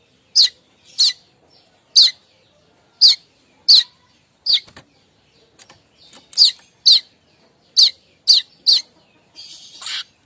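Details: Streaked weaver giving its morning chattering call, locally called kemrecek, used to lure other weavers: sharp, dry, high chips repeated about every half second, with a softer rustling burst at the end.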